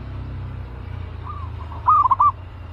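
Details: Caged aggressive zebra dove readied for trapping: a soft faint coo, then a louder quick stuttered phrase of several rolling notes ending on a held note, over low rumbling noise.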